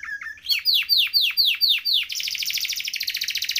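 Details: Canary singing a few low chirps, then six loud downslurred swooping notes about four per second, breaking into a fast, high, vibrating trill.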